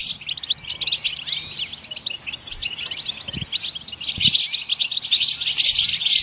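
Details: Goldfinch song used to stimulate songbirds: twittering chirps and curling whistles at first, then a louder, harsher, crowded twittering toward the end.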